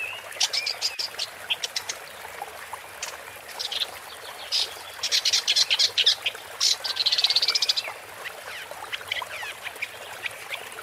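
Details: A woodchat shrike (Lanius senator) in Malaga, Andalusia, Spain, in May 2020 sings a busy, scratchy run of short high chirps, clicks and buzzy trills, with bursts of rapid chatter and hardly any pauses.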